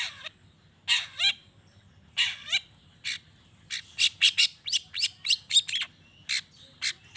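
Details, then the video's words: Long-tailed shrike song for provoking other shrikes to answer: harsh rasping bursts with falling slurs, then a rapid irregular series of short chattering notes in quick succession. "Cendet Gacor Pagi Siang Sore...Merangsang Emosi Cendet Manapun Agar Cepat Nyaut Emosi Dan Ikut Bunyi"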